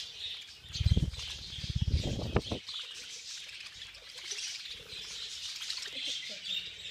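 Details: A bunch of budgerigars at a feeding frenzy, with heavy low wing-flapping thumps during the first seconds, then steady high-pitched chattering and chirping from the flock.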